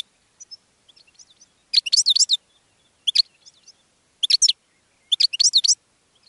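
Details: Short, repeated bursts of high goldfinch chirping, each under a second long, separated by soft faint twitters and brief pauses.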